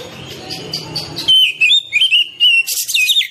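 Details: Oriental magpie-robin song used to coax reluctant caged birds to sing: low murmuring noise at first, then loud whistled phrases, level and gently wavering, ending in a burst of sharp high notes.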